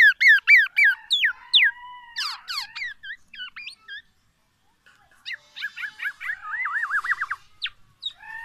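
Black-naped oriole in rapid, varied song: bright whistled notes, quick slurred phrases and a rolling trill, with borrowed shama phrases, pausing briefly midway.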